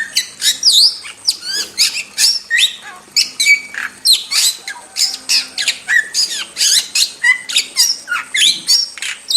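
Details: Wild starling (jalak) in a very vocal masteran recording: dense, nonstop run of harsh squawks, sharp high whistles and rapid chattering notes, bursts spaced under half a second apart, with a faint low hum underneath.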